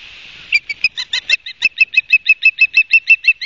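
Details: Osprey calling at its nest at Barnegat Light, New Jersey, on 31 August 2022 at midday, from a nest cam; a quick, insistent string of about eighteen bright, piercing chirps begins after half a second of near silence and keeps going.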